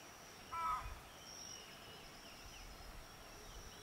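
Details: Keel-billed motmot in Honduras, at Rio Santiago, utters a single quick throaty croak early on, followed by quiet forest ambience with a persistent high insect hum.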